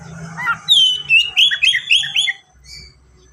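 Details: Oriental magpie-robin singing vigorously in a fast, dense style full of varied fills, used as a lure to prompt untrained magpie-robins to sing: a soft low warble, then loud whistled slurs and rapid rising-falling notes, fading to faint chirps.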